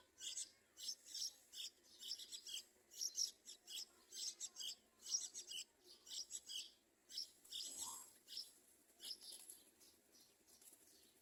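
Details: Yellow-vented bulbul chicks in the nest crying for food: thin, hissy, high-pitched begging squeaks in quick bursts, repeated about every half-second, with one lower slurred note partway through.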